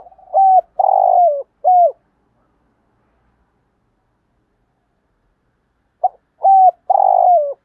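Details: A spotted dove, a decoy bird, gives mellow, low three-note thúc gù coos with a longer, down-sliding middle note, in two phrases separated by four seconds of silence.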